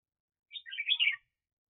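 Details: Decoy red-whiskered bulbul used for bird trapping in 2021, giving a single quick, bubbly, chattering phrase of about 0.7 seconds.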